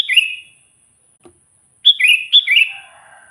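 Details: Sooty-headed bulbul singing loudly to call in and anger wild bulbuls: a falling warbled phrase, a brief tick, then two chattering, bubbling phrases in quick succession, very clear with no other sounds.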